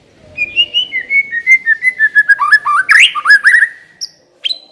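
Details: White-rumped shama song as a lure to trigger singing: a long rapid sequence of whistled notes, first steady and gradually falling, then rising and dipping slurs, ending with two brief high notes.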